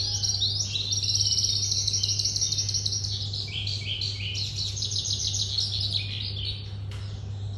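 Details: Young red-whiskered bulbul, moulted April 2024, singing 14 days after moult while up on its perch, flicking its wings in display; rapid run of bright warbled and trilled notes, repeated quickly, over a steady low hum.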